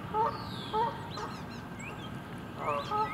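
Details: Canada geese in winter at the west bay of Lake Conestee Nature Park; short nasal honks, two near the start and two more toward the end, over a steady background hiss.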